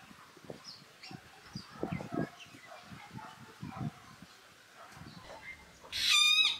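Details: A golden-tailed woodpecker from a pair nesting in a fishtail palm near a house, with male and female feeding their young, gives one loud, harsh, nasal call after several seconds of soft scattered knocks and rustles.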